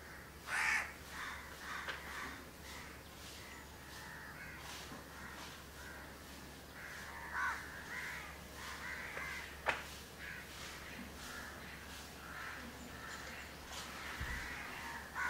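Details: House crow pair grooming each other at Candolim, Goa, India, in December 2010; scattered hoarse caws come at irregular intervals over a quiet background, with a sharp click near the middle.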